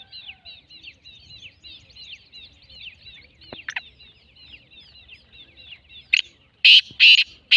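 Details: Black francolin: its grating call begins right at the end with three loud, rough notes and is cut off. A dense, high chirping of small birds fills the seconds before it.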